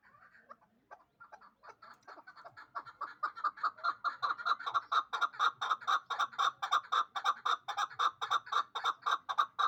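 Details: Hybrid partridge aged two, bred for fighting and hunting and kept in Dushanbe, starts softly and builds into a long, fast, steady chuk-chuk-chuk rattle of about two notes per second or more.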